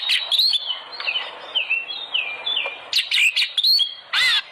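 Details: Oriental magpie-robin lure song to make birds sing: a string of falling whistled slurs, quick chip notes and a closing harsh buzzy burst.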